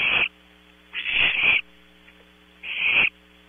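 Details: Nighttime barn owl owlets at Audubon Starr Ranch, California, producing harsh drawn-out rasps, one doubled, separated by short silences, against a background electrical hum.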